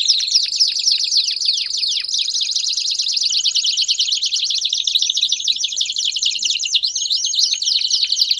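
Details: Belgian canary performing an extended bout of song: sweeping chirps give way to an unbroken, rapid, buzzy trill, later sprinkled with a few upward-curving whistles.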